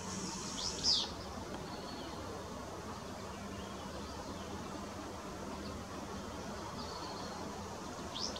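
A Willow flycatcher gives two brief, sharp, sneezy high phrases about seven seconds apart over a steady background hiss and insect hum.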